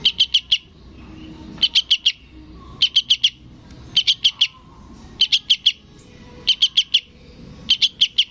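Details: Juvenile sooty-headed bulbul calling for its parent: rapid, piercing chip notes grouped in threes and fours, repeated in seven evenly spaced bursts against a quiet background.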